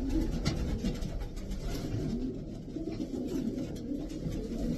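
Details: Throaty murmuring coos from several racing pigeons, a continuous low rolling texture with a few short upward-inflected notes and background knocks.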